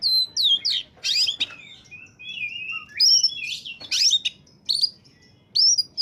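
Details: An oriental magpie-robin sings energetically, its song used to lure birds. Varied whistles, buzzy rasps and sweet slurred notes come in quick phrases with short gaps between them.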